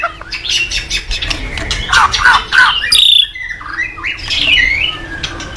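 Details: White-rumped shama song used to train other shamas: dense, harsh, scratchy chattering with rapid squawks and chirps, a few clear whistled notes mixed in, delivered in busy overlapping bursts against a steady low hum.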